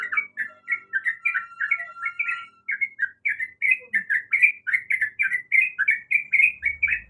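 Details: A female sooty-headed bulbul calling for a male gives rhythmic, rapid chirps, each note bending downward. A thin steady tone runs under the first part.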